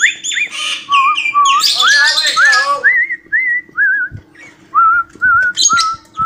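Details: Cockatiel whistling the learned song 'Johny Yes Papa'. It starts with raspy, squawky chirps, then moves into a series of wavering whistled notes, roughly two each second, with a background hum.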